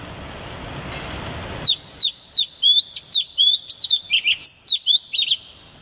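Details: Bird chirping loudly in a rapid, steady string of bright, high, sharply slurred notes, roughly three per second, following a moment of soft hiss.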